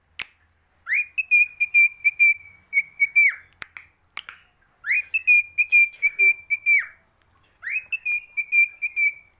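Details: A gray pet cockatiel sings a clear, steady whistled tune in repeated phrases, each rising then holding a level note.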